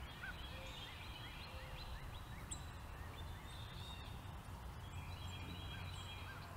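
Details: Tufted titmouse in a dogwood tree in March 2021, giving thin, high, slurred chirps repeated at an irregular quick pace, over a steady low rumble and faint chatter from other birds.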